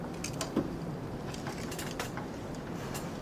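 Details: Scattered sharp clicks and creaks over a low background hum, like mechanical movement, with no animal voice.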